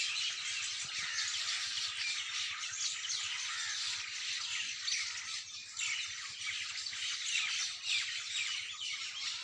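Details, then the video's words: A morning bird chorus fills the air with a steady wash of shrill chirps, squeaky notes and fast twitters from many birds singing at once. "Birds Best singing in early morning"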